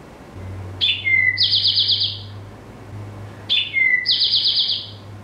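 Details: Eastern Towhee, a large ground-dwelling sparrow of brush and thickets, singing twice: two clear opening notes, then a fast buzzy trill, the classic 'drink-your-tea' pattern, with a low steady hum beneath.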